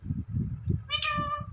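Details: Talking Indian ringneck parrot, one of two in a compilation of talking parrots: after low rumbling background, one drawn-out nasal, meow-like harmonic call lasts about half a second near the end.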